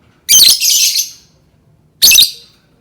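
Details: Lovebird calling to prompt other lovebirds to sing: one long, grating screech followed by a shorter sharp one after a brief pause.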